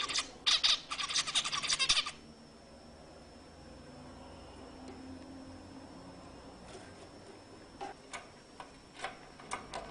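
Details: Zebra finch song used to stimulate females to mate: two seconds of dense buzzy, stacked notes in rapid bursts, then near silence broken by a few scattered short clicks and chirps.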